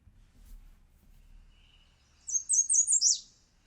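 American Redstart song: a quick run of about four high, thin notes climbing slightly, then a sharp downslurred ending, like a sneeze.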